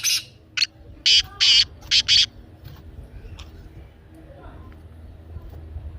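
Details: Black francolin calling, played to prompt a pet francolin to call: a harsh series of six grating, buzzy notes within about two seconds, with the last pair closely joined, then quiet background.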